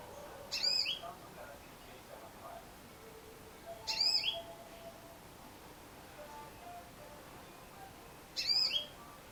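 A female yellow-fronted canary gives three brief, high, twittering chirps, each about four seconds apart, over a faint steady background hiss.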